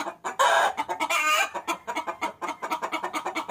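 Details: Hen chicken summoning the rooster, played as a lure: a loud, harsh cackle opens, followed by another raspy burst, then a run of quick, regular clucks.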